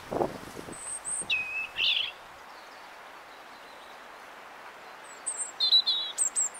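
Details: European robin singing in a blackthorn tree: thin, high whistled phrases with a sustained note and a quick trill near the start, silence in between, then a second burst of bright twittering notes; a few low thumps at the opening.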